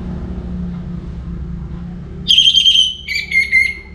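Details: Before morning, an orange-headed thrush gives two sustained, clear whistled notes, the second lower and wavering, after a stretch of low rumbling background noise.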